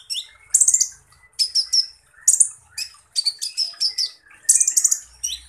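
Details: Kolibri ninja, or Van Hasselt's sunbird, delivering loud rough-shot song: grouped bursts of shrill, buzzy chips and short rising whistles, each phrase of three to five notes separated by short gaps.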